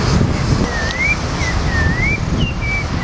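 A thrush sings short, clear whistled phrases, some slurring upward, several in three seconds, over heavy low rumble of wind or passing traffic.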